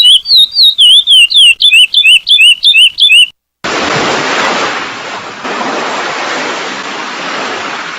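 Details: Song of a curió (chestnut-bellied seed finch), "selo prata" style: clear, rapid whistled notes sweeping up and down, about three per second, then a pause before steady roaring sea waves fill the rest; chestnut-bellied seed finch.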